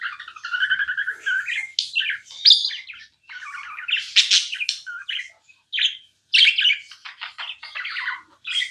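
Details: Pet budgerigar chirping continuously: a rolling warble opens, followed by clicking, scratchy notes and high squeaks in uneven bursts, with a few brief pauses between phrases.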